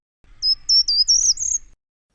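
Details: Short-toed treecreeper heard on a hillside path near Castel Finans above Saint-Aignan sings its recognisable, endlessly repeated brief, high, thin phrase of about five to six notes, rising slightly toward the end, lasting under two seconds.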